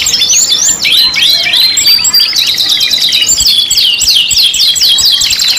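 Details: Canaries in a five-in-one pancingan mix deliver quick rolling trills, then a run of clear arched whistles repeated in fast succession near the end, all high and continuous with no background noise.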